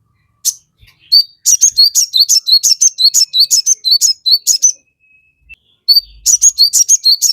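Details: Crested jay in lively song, a lure to make birds respond: steady series of sharp, high, paired chips repeated quickly, pausing once before resuming.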